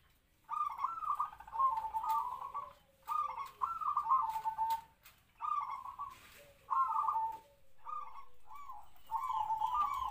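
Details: Captive-bred local zebra dove used for trapping, about three to four years old, with a medium-pitched kwor kwor song; about six rolling, warbled coo phrases, each a second or two long, separated by brief pauses.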